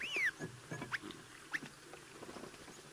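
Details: Cape glossy starling at a waterhole, 16 August 2023, giving a possibly unfamiliar call: a high, slurred whistle falling in pitch, then two brief sharp whistled notes, over a faint background hum.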